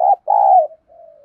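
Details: Caged decoy spotted dove giving a cooing 'giọng thổ' voice to lure and challenge wild rivals. A loud short coo is followed by a long, steady, slightly falling coo, then a faint trailing hum.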